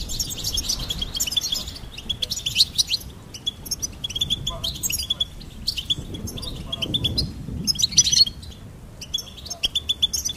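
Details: A goldfinch sings in bursts of bright, liquid twitters and short buzzy trills, each phrase separated by brief gaps, over a faint low background rumble.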